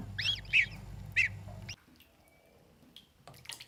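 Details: Three pet geese calling: a few short, harsh, nasal notes in quick succession early on, then a quieter stretch with faint scattered sounds and a low steady hum underneath.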